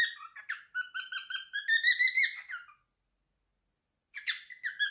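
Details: A male cockatiel, aged three and kept indoors, gives his favourite song: stuttering whistled notes climbing in pitch over two seconds, a long pause, then a fresh burst of chirps.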